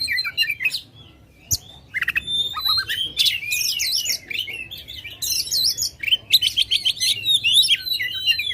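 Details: Oriental magpie-robin singing loudly to stir contest birds: bursts of sharp chirps and sweeping whistles broken by a short pause near the start, then dense rapid varied phrases, faint background hum.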